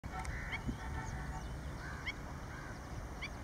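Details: A white-tailed lapwing in Lahore gives short, nasal, upslurred notes every second or so, over a low rumble and a thin steady whine.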